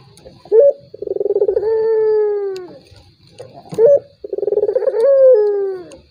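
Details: Two phrases of a turtle dove's lure call, meant to make a reluctant rival answer. Each opens with a clipped high note, rolls into a pulsing burr and ends in a drawn-out descending coo.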